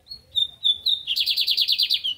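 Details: Captive lined seedeater of the American song style in Brazil: clear sustained whistles followed by a rapid, buzzy run of about ten repeated slurred notes; low background murmur and a woman's voice nearby.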